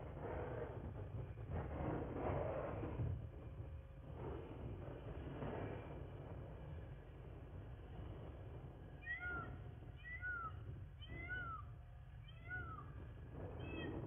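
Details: Bald eagle at its nest in Miami-Dade County, Florida, on 23 January 2024 at 9:34. Low rumble and wind noise dominate at first, then a series of short, downslurred chirped notes repeats about every half second near the end.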